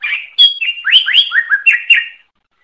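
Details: Gacor-style greater green leafbird (cucak ijo) song prepared as training material for songbirds: a fast run of bright, slurred whistles rising and falling, with sharp high accents, clean and uninterrupted for about two seconds.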